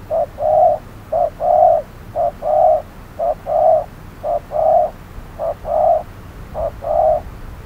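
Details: Spotted dove used as a trapping decoy, calling at hot midday: steady two-part coos, a clipped note followed by a longer mellow one, roughly seven pairs at a regular pace over quiet background.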